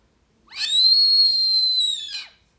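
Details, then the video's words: Brazilian teal, called marreca ananaí or pé-vermelho, playback recording for attracting the bird: a single drawn-out, high, pure whistle lasting about one and a half seconds, flat in pitch with a slight dip at the end. "Atraindo marreca ananaí (pé vermelho) 🦆 com playback"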